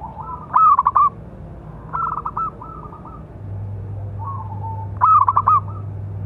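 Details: Local Zebra dove with a big voice, calling as a training and provoking song for other doves; low rolling coo phrases near one pitch, each with a stuttered burst of quick notes, repeating about every one to two seconds over a steady low hum.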